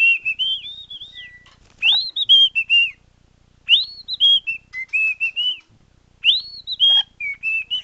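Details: A nearly two-year-old male cockatiel whistles clear, bright phrases that swoop up and down in short bursts, possibly parts of a wolf whistle and the Andy Griffith tune he knows.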